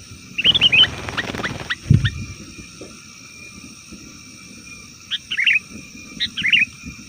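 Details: Sooty-headed bulbul, a noisy, chattering call used to lure wild bulbuls in the forest and prompt caged birds to answer. It opens with a burst of quick bubbly whistled notes, then after a pause two short chattering phrases, over steady electronic hum and low rumble.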